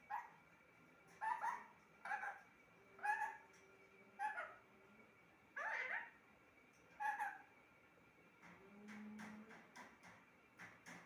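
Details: Talking pet parrot: a run of rapid, speech-like harmonic syllables in short bursts, then a softer low murmur and a series of faint clicks toward the end, all in a quiet indoor room.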